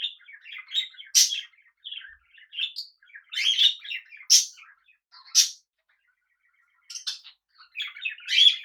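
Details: Budgerigars kept as pets alongside cockatiels, producing a lively run of chirps and twittering warbles with loud sharp notes, then a brief quiet gap before the chatter resumes.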